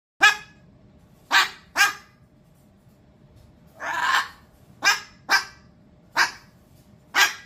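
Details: Pet cockatoo mimicking a dog's bark: eight sharp, loud, rasping barks spaced unevenly, with one longer, drawn-out harsh bark in the middle, against a quiet indoor background.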